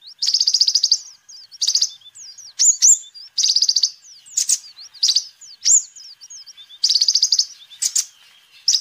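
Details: Sunbird (kolibri ninja) singing actively, used as a lure and song tutor for other birds; high buzzy trills alternate with thin upslurred whistles in quick bursts, with no other sounds.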